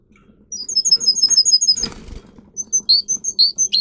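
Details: Singing canary of Russian song lines, for teaching other canaries: a string of quick high chirping notes, a short flapping burst of wings in the middle, then more bright whistled notes over a faint low hum.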